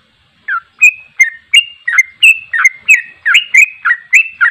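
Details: Sooty-headed bulbul, a lively caged songster, giving a repeated series of short bright whistled phrases, each a quick slurred note roughly every third of a second, clean with no background sounds.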